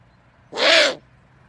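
An owl gives one harsh, raspy screech about half a second long, slightly arched in pitch, against a quiet background.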